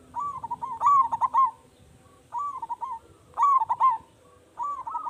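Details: Local zebra dove in strong voice, recorded to lure other doves into answering; loud stuttering coo runs alternate with softer, briefer phrases, four bursts spaced about a second apart.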